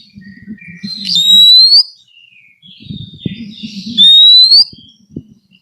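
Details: Oriental magpie-robin (kacer) recorded as training material for birds that no longer sing: two long, clear, upward-sliding whistles separated by a pause, with low rumbling noise beneath.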